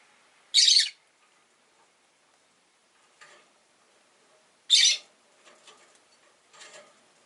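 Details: Rosy-faced lovebirds in a window-side cage holding five orange-faced green birds: two loud, rasping chirps about four seconds apart, with softer scratchy calls between and after.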